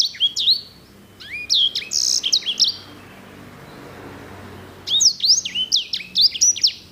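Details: Edel/herda sanger in loud, clear active song: two bursts of high, sharply sweeping whistled notes in fast succession, separated by a few seconds of quiet.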